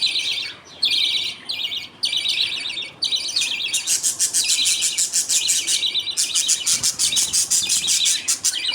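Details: Caged budgerigar colony at feeding time: a father feeds millet paste to two chicks while the mother watches and others wait. Dense, buzzy, high chattering comes in short bursts at first, then runs almost continuously in rapid pulses.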